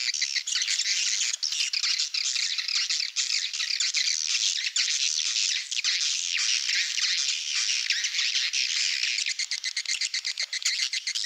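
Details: Swiftlets in a Malaysian lure recording meant for swiftlet houses: a steady wall of shrill, rapid chirps and twitters, even in loudness, with slight flutters near the end.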